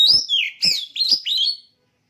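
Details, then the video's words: A caged contest oriental magpie-robin sings loud, bright whistled notes that dip and rise, each preceded by a hard click, four phrases within two seconds. "Suara Burung Kacer Siap Gantang"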